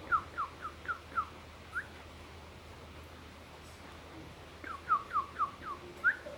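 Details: Lovebird making an unusual sound: two bursts of short, clear, pure chirping notes, about five or six quick notes each, the last in each burst rising, separated by a pause, over a soft steady hum.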